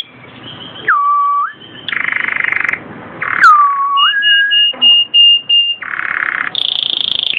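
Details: Canary song, Belgian and native 'da terra' birds: loud pure whistles dipping low and swinging back up, alternating with buzzy rolls and short high piping notes, closing on a rapid pulsed roll.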